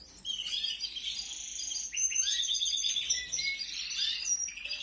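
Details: Canary chicks from a 2021 brood being fed, giving a dense run of high, thin chirps and buzzy squeaks that rise and fall almost without pause for about four seconds.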